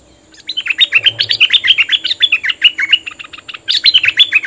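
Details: Decoy bulbul singing at wild birds: a quick run of short, bright, down-slurred chirps, about four a second, breaking off and restarting, over a constant thin high whine.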